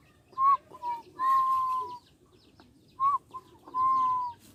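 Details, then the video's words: Young Barbary dove learning to coo: two phrases, each a brief clipped note followed by a long, steady, pure-toned drawn-out coo lasting about a second, with quiet gaps between. "burung puter belajar manggung"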